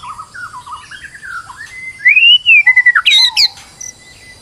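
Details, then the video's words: White-rumped shama in a stressed state, used as a lure to make another bird sing; low wavering warbles that climb into a loud arched whistle, followed by sharp downslurred notes and a brief buzzy burst. "PANCINGAN MURAI BATU STRES AGAR GACOR BONGKAR MATERI"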